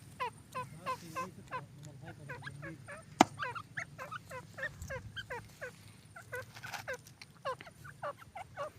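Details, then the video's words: Purebred partridge calling in a fast, uneven run of short, rising, harsh notes with strong overtones, several per second, one sharp click near the middle, over a low steady hum. "تیتر کی ویڈیو نسلی تیتر"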